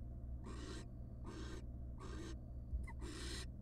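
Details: At a wild barn owl nest box, first night after the first nestling hatched, male arriving with a large rat; four broad rasping hisses about a second apart, interrupted by a brief thin upward chirp and a soft knock.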